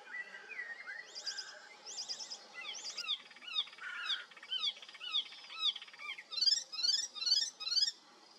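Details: Icterine warbler singing in south-western Mecklenburg, where it breeds regularly; a varied, fast medley of squeaky whistles, repeated chattering phrases and mimicked notes of other birds, ending in loud rhythmic upslurred double notes about three per second.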